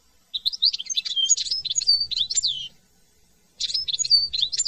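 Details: French European goldfinch giving two runs of bright, rapid twittering with rising and dipping liquid notes, a clear pause between them, over a faint low hum.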